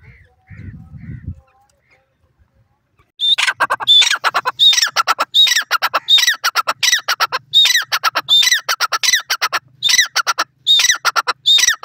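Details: A grey francolin (Ortygornis pondicerianus, teetar) gives loud, shrill, ringing calls, repeated in quick succession.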